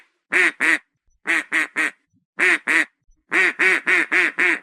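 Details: Duck quacking in short bursts of two to four loud, nasal quacks separated by brief silences, about fourteen quacks in all, on a clean, quiet background.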